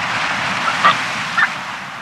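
Brown booby giving two short, hoarse honking calls about half a second apart, over a steady roar of wind or surf.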